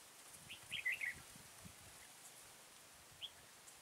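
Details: Red-whiskered bulbul recorded during trapping at Kim Bôi, Hòa Bình, on 6 April 2017: one short, quick warbled phrase of bright chirping notes, then a single faint chirp near the end, over quiet rural background noise.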